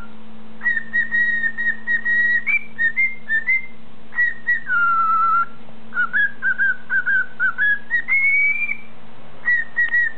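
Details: A male pet cockatiel whistles the Mickey Mouse March in clear, steady notes near two kilohertz, phrased like a march, while in front of his mirror.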